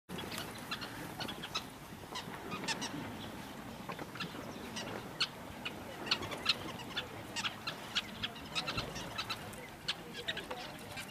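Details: A colony of sociable weavers at their large communal nest makes a constant busy chatter of short, sharp, high chips overlapping from many birds, with a low rumble of wind underneath.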